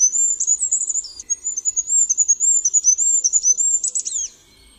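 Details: Goldcrest (Regulus regulus) delivers a long, rapid, high and thin rhythmic run of see-sawing notes, ending in a short flourish before quiet.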